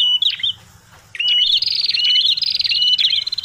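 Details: Noisy prenjak kepala merah prinia lure call: a few sharp chirps, a brief gap, then a long continuous buzzy, rattling trill held for about two seconds before tapering off.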